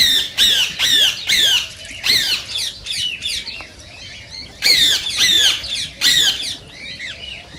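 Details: Screeching of green rose-ringed parakeets, said to trigger mating in other parakeets: clusters of loud, piercing falling screams in rapid runs of three to five, separated by quieter chatter and brief lulls.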